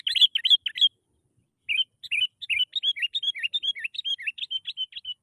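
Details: Sooty-headed bulbul lure song intended to trigger singing in quiet birds: a quick cluster of chirps, a short pause, then a steady series of bright, slurred notes repeated several times a second.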